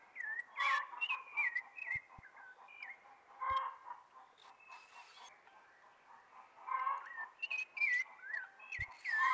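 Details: Thrush (sabiá) singing as spring arrives, a long sequence of clear whistled phrases, sliding and warbled, in bursts separated by brief gaps and a quieter middle stretch.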